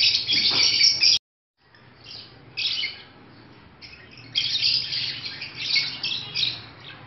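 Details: Indoor pet African lovebirds in breeding season: a loud buzzy squealing burst, a sudden silent break, then quieter scratchy chirps building again into repeated harsh chattering phrases.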